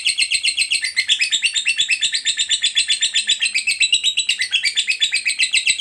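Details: Lovebird, a fighter bird, giving a long ngekek trill used to stimulate other lovebirds: a fast, even run of sharp high chirps repeated about four times a second, held steadily throughout with little background sound.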